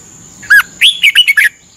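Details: Red-whiskered bulbul from Thailand, a training song played every morning for 30 minutes; a single phrase: one clear whistle, then a rising slur and four quick, bright warbled notes.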